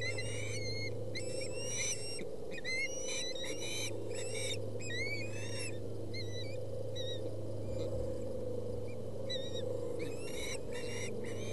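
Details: Ospreys at a Boulder County nest on 20 August 2017, young fighting over a fish after the father's delivery. Dense runs of high, whistled chirps with rising-falling inflections, overlapping and repeated in quick bursts. A steady low hum underneath.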